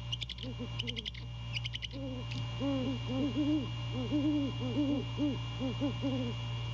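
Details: Male great horned owl hooting to his mate at the nest after 2:27 AM on 15 January 2022, courting: sharp clicking bursts open, then a long series of low, rounded hoots at a steady pace, often paired.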